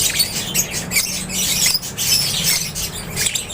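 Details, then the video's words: Lovebirds in an aviary keep up rapid, piercing chirps and squeals from several birds at once, over a steady low mechanical hum. "LOVEBIRDS CHIRPING SOUNDS"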